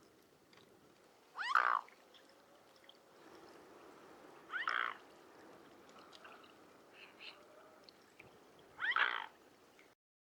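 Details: A mute swan recorded in the wild gives three short, harsh, nasal bursts spaced three to four seconds apart, over a faint steady background murmur.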